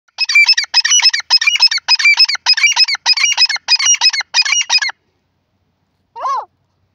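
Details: Francolin (teetar) calling: nine rapid bursts of sharp, high, chattering notes in a steady rhythm, about two per second for five seconds, then silence and one lower, harsh note.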